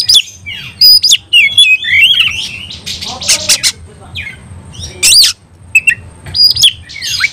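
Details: Oriental magpie-robin fighting song, meant to provoke other magpie-robins to fight: loud, varied high whistles, sharp upslurred and downslurred notes and harsh bursts in quick irregular succession, with brief gaps.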